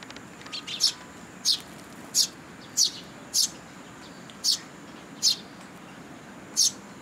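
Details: Sparrow young begging for food from parents at a Tenmangu shrine, 2 July 2022; a soft opening twitter, then loud piercing chirps at fairly even intervals of well under a second.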